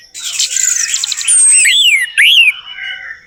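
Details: Orange-headed thrush song played as a lure for a bird that has stopped singing: two loud arched whistles rising then falling, over a steady hissing chatter and a long thin high whistle.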